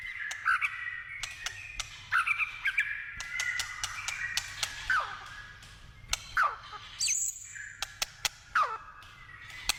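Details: Wild white-rumped shama singing in forest: clear whistled notes and quick downward-sweeping slurs in separate phrases, mixed with sharp dry clicks throughout.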